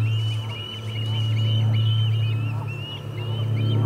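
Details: Osprey at the Charlo nest on 8 August 2020, as a parent arrives without fish: a steady run of quick, wavering high whistled notes over a loud low electrical hum.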